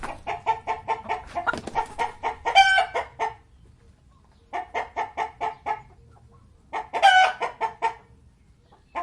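A rooster gives two bursts of rapid, throaty clucks, about four a second, each broken by a brief harsh drawn-out squawk. Nothing else is heard.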